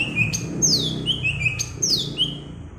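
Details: Green leafbird from Alas Purwo, Banyuwangi, singing in the bebeci style: clear high whistles that slide sharply downward, with buzzy upward sweeps between them, given in two repeated phrases over a low rumbling background.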